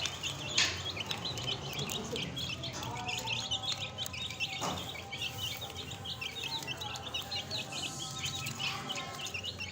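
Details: Young chicks cheep steadily together. Rapid, high, falling peeps from several birds overlap continuously, with a couple of sharp knocks early on.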